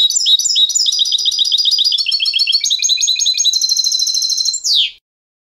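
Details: European goldfinch singing the clean contest style, recorded for training young goldfinches: a continuous, high, tinkling stream of fast twittered notes and trills, ending in a buzzy, descending flourish.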